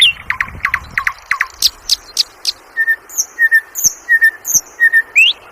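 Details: Sikatan londo flycatcher song of varied phrases: a quick run of clipped chirps, then repeated short mid-pitched whistles alternating with high thin slurred notes at a steady pace.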